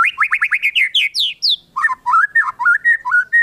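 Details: White-rumped shama song aimed at prompting other shamas to sing: a rapid series of rising, bouncing notes climbing higher, followed by lower, warbled whistles in quick succession.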